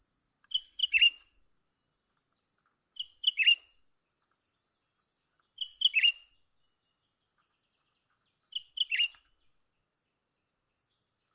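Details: Young bulbul recorded while being lured for trapping, giving brisk chirpy phrases of two quick notes and a falling flourish, repeated roughly every two and a half seconds against a constant high-pitched buzz.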